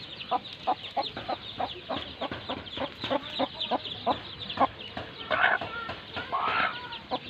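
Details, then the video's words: Baby chicks with their mother hen: a rapid series of short, sharp peeps and clucks, several each second, with a few broader, louder bursts near the end and a light background hiss. "Baby Chicks chirping Sounds"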